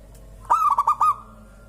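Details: One song phrase from a local zebra dove whose calling gets other birds going: a sharp first note and three bubbling hoots in quick succession, steady in pitch, over quiet background.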